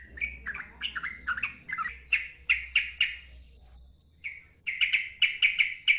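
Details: Loud ngeropel-style song of a sooty-headed bulbul: warbled, falling whistled phrases, then a brief pause before sharp clipped notes rattle off rapidly, with thin high tones and a low electrical hum in the background.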